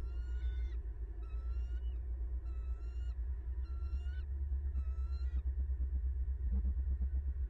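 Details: Bald eagle calling at its Florida nest as the male delivers a fish to his mate, recorded by a nest cam in December 2021: five squeaky, strained whistled bursts in quick succession, then quieter rustling, over constant low-pitched rumble.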